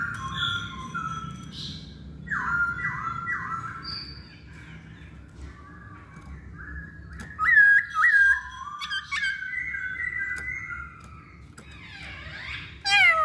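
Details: Masked laughingthrush song used as a lure to get other birds singing: a varied string of whistled notes around mid pitch, some short upslurred phrases in pairs and longer level whistles, with a low background hum.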